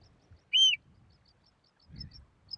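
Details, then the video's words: Eurasian oystercatcher nesting three yards from a road at Port Carlisle, Cumbria, on its second nesting attempt after the first failed below the high tide mark, filmed through a Swarovski 80HD scope with a Canon S95. One loud, sharp, arched piping note, with faint low rumble. "Oyster Catcher nesting 3 yards from road."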